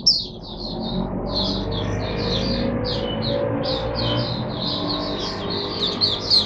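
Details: Kept oriental white-eye singing on a Sunday, 22 January 2022, serving as a teacher bird for other white-eyes: a lively, continuous run of high, quick chirping twitters and trills, with a low steady rumble of traffic or machinery underneath.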